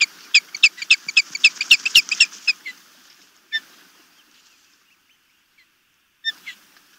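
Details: Osprey chicks being fed at a Maryland nest by the Chesapeake Bay, 26 May 2018: a rapid run of bright, ringing chirps, about four a second for over two seconds, then a pause and two lone sharp chirps.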